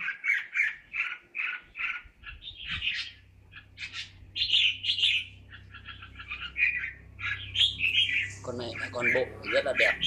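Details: Caged red-whiskered bulbul, described as a talented bird, sings a lively run of short warbled and chirping phrases that keep shifting in pitch, mostly mid-high and fairly continuous, with brief gaps and faint low background hum.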